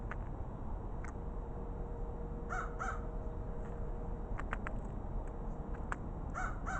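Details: Crow calls while two crows explore: a pair of harsh caws in the middle and another pair near the end, with scattered sharp clicks and knocks over constant low background rumble.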